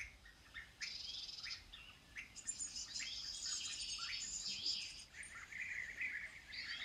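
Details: European bee-eater: rolling trilled notes mixed with thin, high, sibilant chirps and chattering, a busy overlapping series throughout.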